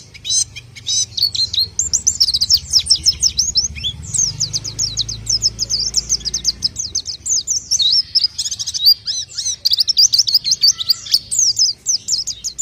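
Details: Pelci, the orange-headed thrush, in full main song: long rapid sequence of high slurred whistles and chattering notes, nearly unbroken, over a low rumbling background hum.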